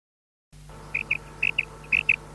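A female quail gives short, high, clipped notes in quick pairs, about four pairs in a second and a half, over a steady low hum.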